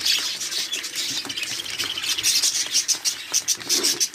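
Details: Many budgerigars kept at a 100-pair breeding farm in Pakistan chatter together, a continuous high, raspy warble, with quick ticking chirps clustering toward the end.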